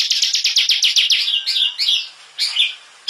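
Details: Bar-winged prinia singing a training song for competition birds: a quick series of sliding, high notes that speeds up, followed by short varied warbling phrases separated by gaps.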